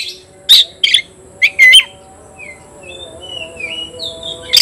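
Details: Oriental magpie-robin competing against a rival; a few loud sharp chirps and squeaky notes in the first two seconds, then only faint thin whistled phrases far off before one last sharp note.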